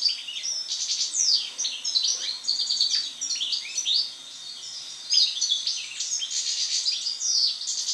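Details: Sustained post-moult song of a European goldfinch: fast, jumbled high twittering with liquid chirps, buzzy rolls and sharp slurred notes, broken by a short quiet gap midway.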